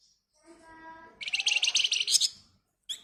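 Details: Flamboyan bird in agitated ngebren rapat song meant to prompt other birds to sing; a soft, low tonal note gives way to a dense, high, buzzy rattle of quick notes lasting about a second, then a brief sharp chip.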